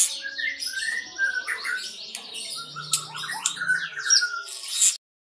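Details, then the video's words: Unbroken konslet lovebird singing, varied squeaky chirps, descending slurred notes and harsh squawky twitters tumbling together without pause before stopping abruptly. "Ciri ciri lovebird konslet"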